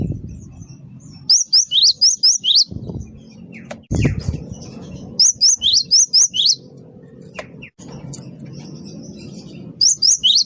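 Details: Gelatik batu wingko, a great tit, in lively lure song: repeated bursts of five or six high, sharp, hooked notes, with occasional low thumps and background hum between phrases.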